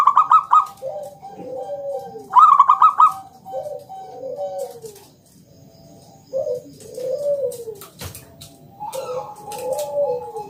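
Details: Local zebra dove in ngalun singing style with a round 'kung' note, a lure to set other doves singing: two loud stuttering trills, then repeated soft arching coos, with a clicking noise near the eighth second.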